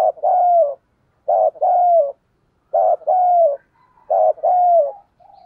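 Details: Spotted dove decoy with the thổ sấm voice cooing to bring in wild birds: four close, hoarse double coos, each a short burst then a drawn-out wavering note, ending in a softer coo.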